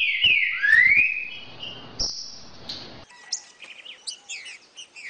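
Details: Song of a green-winged saltator, used to stimulate a caged bird to sing: strong rising and falling whistled slurs open the phrase, followed by quieter, quick high-pitched chirps.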